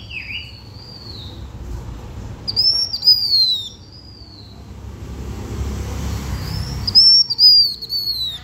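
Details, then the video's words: Luring song of a blue-winged minla: high, thin drawn-out whistles that slide down in pitch, repeated in phrases a few seconds apart, some with rapid trilled overtones, over faint low rumble. "Chim khướu lùn cánh xanh hót mồi cực đỉnh/Khướu lục cánh xanh hót căng lửa kích mồi siêu chuẩn"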